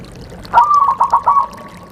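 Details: Zebra dove cooing played during the rainy season to coax a bird that rarely sings; a single mellow phrase: a sustained note followed by three or four quick rolled pulses, ending softly over faint background hiss.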